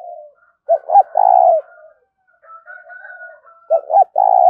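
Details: Spotted dove 'thúc' cooing: two phrases of paired short hoots ending in a long low coo, separated by softer murmured cooing and a thin higher drawn note.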